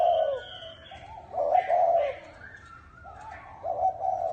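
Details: Spotted dove, chuông đồng (bronze-bell) voice, cooing to stir both sexes: a loud low coo at the start, then two more throaty coos with a gap between. Thin high whistles from other birds are heard faintly.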